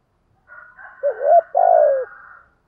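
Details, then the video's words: Spotted dove's low two-part coo meant to stimulate other doves: a rising hooked note and a longer, gently falling coo over a faint, continuous higher tonal band. "chim cu gáy thúc gù đủ sách bổi nghe ăn lại ngay. chim cu gáy kích bổi nhanh nổi hiệu quả"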